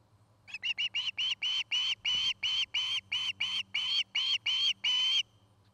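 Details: Osprey calling from a nest in Charlo, Montana, on a nest camera: around fifteen piercing whistled notes, quick at first then lengthening, evenly spaced for nearly five seconds, with faint hum beneath.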